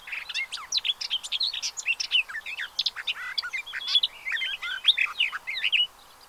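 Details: Pied avocets with chicks at the Séné nature reserve, Gulf of Morbihan, France, 30 April 2023: an unbroken excited chatter of short whistles and clipped chirps, easing off in the final second.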